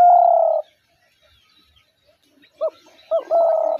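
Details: Hunter's decoy spotted dove cooing: one long flat hollow note, a quiet gap, then a quick double lead-in and another long level coo, with faint distant cooing beneath.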